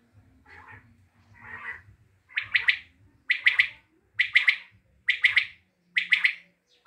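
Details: Common quail recorded in Tajikistan: two soft, blurred phrases, then five loud, crisp three-part calls delivered about once per second.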